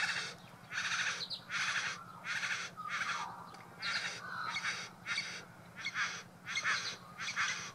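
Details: A male Satin bowerbird (Ptilonorhynchus violaceus) perched at his decorated bower in Buln Buln East, Victoria, Australia, gives harsh, buzzy rasping bursts, about one every 0.7 seconds, as part of his courtship display to a female, which includes mimicry, over a faint low hum.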